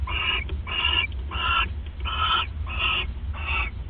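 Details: Six rasping, harmonically rich calls in steady rhythm, each about a third of a second, from owls bonding at the nest at 1:26 AM, 29 December 2014; low hum behind.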